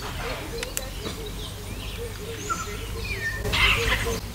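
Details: Flight calls of a group of eight wild African grey parrots leaving trees in the morning in Uganda: scattered clear whistles, some sliding up or down, under a low rumble of wind and faint voices.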